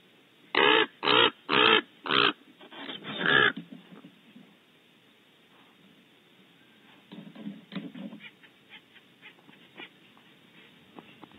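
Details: Raven making an ill-tempered racket beside a barn owl nest cavity at Audubon Starr Ranch, California: five loud, rasping croaks packed into the first few seconds, then softer scattered rustles and faint calls.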